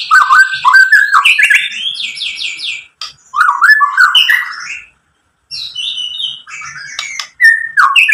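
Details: White-rumped shama singing as a lure to make other shamas sing: rapid trills, fluty slurred whistles and sharp ticks in long varied phrases, broken by a pause of about half a second.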